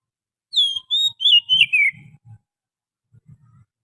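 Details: Wild forest Oriental magpie-robin lure call: five smooth whistled notes, gently wavering and descending, run together over one and a half seconds, with faint low thumps afterwards.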